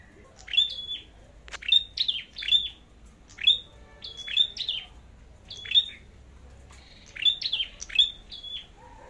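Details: Singing-competition song of a red-headed flowerpecker: crisp, very high chip notes that drop into short level whistles, given in pairs or small groups roughly once a second, with one faint lower click near the start.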